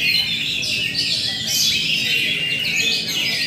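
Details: Oriental magpie-robin, locally kacer, delivering roll tembak song: unbroken rapid high-pitched chatter mixed with sharp whistled notes and quick trills, steady loudness.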